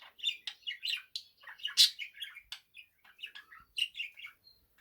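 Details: A male pet budgerigar sings a rapid, chattering warble of bright chirps, clicks and squeaky notes.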